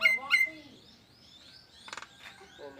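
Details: A Nias hill myna gives an odd, alarm-like call: two loud, nasal, harmonic calls in quick succession, then a brief rasping burst and softer chatter after a pause.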